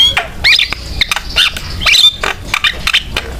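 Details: Lively Javan myna used as a singing lure for other mynas; squeaky, whistled notes and nasal chatter in quick clusters, with sharp clicks between phrases and a faint low hum underneath.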